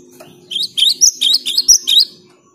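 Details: Cinereous tit singing busily, used as a lure to get quiet tits singing: a quick run of about seven high, sharp, bright chirped notes over a faint low background hum.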